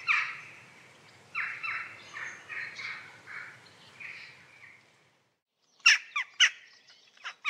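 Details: Jackdaws calling: a run of drawn, nasal, slightly descending calls fades out, then, after a brief silence, loud, sharp, clipped 'tchak' notes burst in close by.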